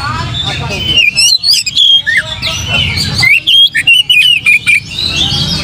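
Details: Lure recording of an Oriental magpie-robin to make other birds sing: varied whistles and sweeping slurred notes, some swooping downward, delivered in rapid stop-start bursts with a low hum beneath.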